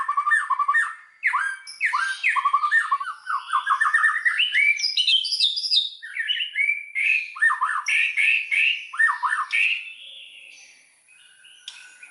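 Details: White-rumped shama singing as a lure to trigger full song in other shamas; a rapid run of rich whistled and chattering notes, rising and falling, delivered in dense bursts before fading near the end.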